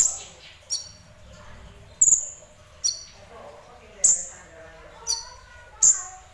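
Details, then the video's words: Sunbird known as kolibri ninja in semi-active song: six sharp, very high chips at uneven intervals of about a second, some with a thin two-toned ring, over faint low noise. "Burung Kolibri Ninja Semi Gacor"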